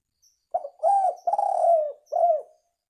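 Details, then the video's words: Lure call of the spotted dove: one clear, hollow phrase, a short note, a smooth coo, a long wavering coo sliding down, then a final falling coo. "Suara Tekukur Ampuh Untuk Pikat"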